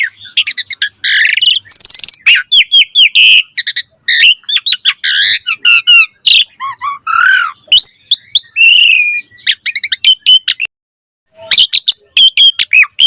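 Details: Asian pied starling in fast, full varied song to lure birds into singing: a dense, nonstop stream of clicks, squawks, slurred whistles and chatters, briefly silent near the end before resuming.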